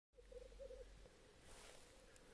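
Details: Black grouse (Lyrurus tetrix), lek song: courtship display at the lek.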